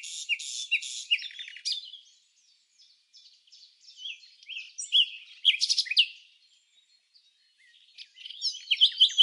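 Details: Red-backed fairy-wrens interacting in the non-breeding season at Samsonvale, Australia, giving very high, thin reeling trills and sharp chips in short bursts with brief pauses between, with no other sounds.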